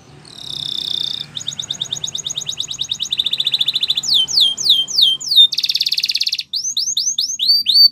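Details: Canary training song: loud, high, clean singing in quick-changing tours. A whistled opening gives way to rapid even trills, a dense buzzy rattle, repeated sharply descending slurred notes, and a final run of falling swoops.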